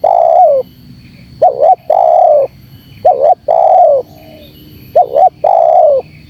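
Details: Spotted dove calling briskly in the lively 'gacor' style, a lure sound to draw birds in. Each phrase is a quick double note then a drawn-out, gently descending coo, given three times in close succession.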